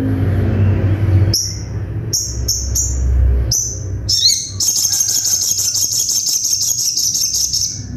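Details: Short, piercing high notes from a little spiderhunter, meant for training songbirds, repeat at irregular intervals, then break into a long, rapid rattling trill over low droning noise.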